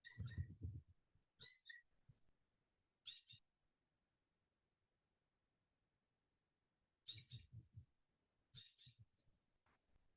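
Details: Blue Jay in autumn in the Piedmont region of Georgia and the Carolinas, giving five harsh, scratchy jeer calls to signal its presence, in irregular bursts over ten seconds, with a low, muffled thump under each call.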